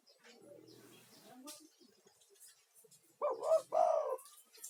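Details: Spotted dove, a lively male lure bird calling to draw other doves, used as therapy for stressed caged doves: after quiet background, two loud, hoarse cooing notes in quick succession near the end.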